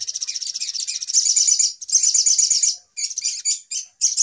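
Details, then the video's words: Noisy lure recording of sogok ontong (little spiderhunter), used for bird trapping: bursts of shrill, fast buzzy chatter separated by brief gaps, ending in short choppy fragments. "Suara Pikat Ribut Burung Sogok Ontong Paling Mujarab"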